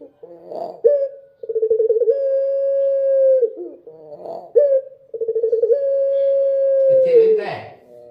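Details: Dove singing at night: a rough burst opens each phrase, then a pulsing lead-in swells into a long steady low coo. The phrase is heard twice.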